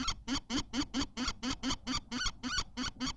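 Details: Close, loud kestrel calls at a Théding nest during egg laying, 14 May 2023: evenly spaced nasal, rasping notes, roughly three and a half per second, each with a slight rising inflection.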